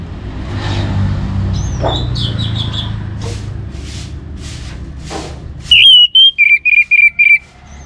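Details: Orange-headed thrush whose song is used to spur other birds into singing. Quiet scratchy sounds and hum come first, then a sharp run of about six loud, pure whistled notes.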